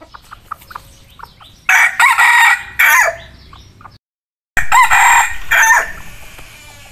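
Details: Bred hybrid red junglefowl decoy cock standing to show itself, giving two loud hoarse crows a few seconds apart, each broken into rough, strained pieces, with faint softer calls before the first.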